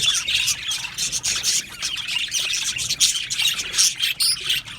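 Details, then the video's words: Budgie colony in an aviary, Australian parrots: loud overlapping chirps and squawks in pulsing bursts, a bright crowded chatter with short gaps between surges. "Beautiful Budgies chirping sounds"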